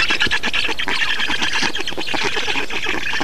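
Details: Black storks being fed in Estonia on 2 June 2019 produce an unbroken stream of hoarse, squawking notes in quick succession.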